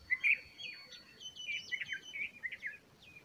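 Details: Bulbul feeding its young chicks: one loud warbled chirp followed by a rapid, jumbled chatter of short rising and falling notes over about three seconds.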